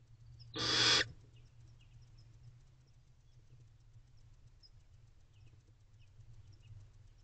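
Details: Barn owl owlets in a nest box, recorded at 5:29 am on 28 April 2023: a single harsh, breathy hissing screech lasting about half a second, followed by quiet with a steady low hum.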